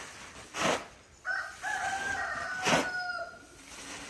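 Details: Rooster (Gallus gallus domesticus) on a village farm gives one drawn-out crow of about two seconds, stepping up then holding a strained, nasal tone, with two sharp clattering knocks around it.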